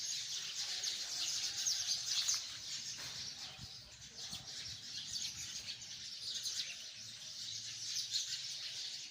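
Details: From hundreds of sparrows in a tree comes a long, dense chorus of bright chirps and twitters, swelling and easing slightly in loudness but never stopping.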